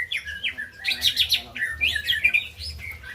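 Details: White-rumped shama song played to get birds that have stopped singing to sing again. Quick, varied whistled and chattering notes, mostly high and sliding, with dense bursts in the middle and a faint low hum beneath.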